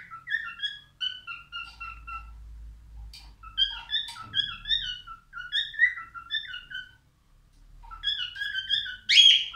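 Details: Albino male cockatiel song: repeated short whistled phrases of warbled, slurred notes with pauses between, a soft click midway, and a harsh burst at the end.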